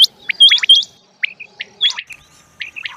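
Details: Rain quail giving sharp, high chirped notes, some hooked and some sweeping down, in uneven small clusters separated by short pauses, over a quiet background.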